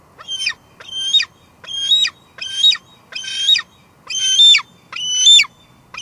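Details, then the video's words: A female bald eagle goes back and forth between nest and patio at Two Harbors and calls out. Eight high, squealing notes come in a steady series about once per second. Captured by a live cam, July 2022. "Two Harbors Bald eagles; Lancer's got a lot to say tonight"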